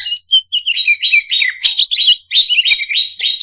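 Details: Greater green leafbird, an excited contest-style singer, delivering rapid whistled notes around one steady pitch. Fast slurred chips and short rising flourishes tumble along with brief pauses.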